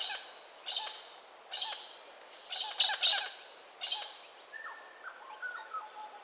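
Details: Galah (pink and grey) in Western Australia giving harsh, screechy calls repeated about once a second, some doubled. Softer whistled notes from another bird follow near the end.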